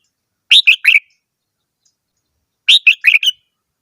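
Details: Red-whiskered bulbul singing two quick phrases of three to four clear whistled notes, dropping slightly in pitch within each phrase, separated by a two-second pause; quiet background.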